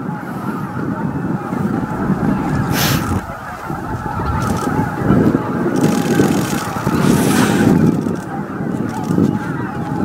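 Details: Evening roost arrival of roughly 15,000 greater white-fronted geese at Miyajima-numa, Bibai, Hokkaido, 11 April 2016, 18:00–18:30. Massed yelping honks swell and fade in waves over a strong low background rumble, with brief hissing bursts.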